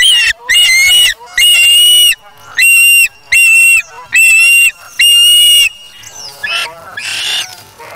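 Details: Osprey chick, Charlo nest, August 3, 2017, grabbing a fish from its parent: a steady series of loud, harsh whistled notes, roughly one per second, then softer, thinner calls at the end.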